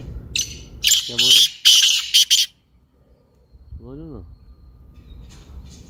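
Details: Black francolin giving a harsh, scratchy call phrase of about five loud grating bursts in rapid succession, followed by a quieter rising-and-falling nasal sound and light background noise.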